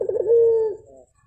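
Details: One Javan turtle dove coo heard in the morning: a short wavering, rolling start that settles into a smooth, steady hollow tone, then fades off after about a second.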